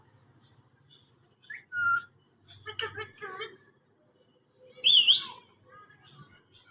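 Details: Green parrot giving a short clear whistle, then a burst of harsh, ringing calls and a loud wavering whistle that rises and falls, separated by brief pauses, with a faint low hum underneath.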